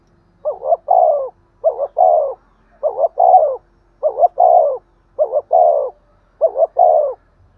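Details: Spotted dove giving rhythmic 'thúc gù' urging coos used to excite wild doves. Six evenly spaced phrases, each a quick stuttered pair then a drawn, dropping coo, with nothing else heard.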